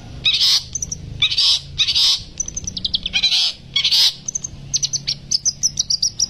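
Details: A caged Long-tailed Shrike, said to be West Bali type, already shooting fast rolling song early on: bursts of scratchy, high chatter broken by quick sharp notes, with a faint low hum behind.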